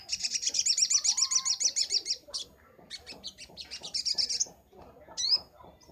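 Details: Crimson sunbird, called sogon locally, in a training master recording: a fast, high, rattling trill lasting two seconds, then scattered quick chips and another short trill, ending with a sharp upslurred note.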